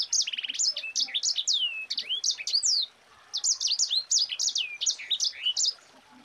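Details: Mozambique canary pouring out its dense 'ngerol rapat' rolling song, a tutor for other cage birds: rapid buzzy trill then sweeping high whistles and chips in two long runs split by a short gap.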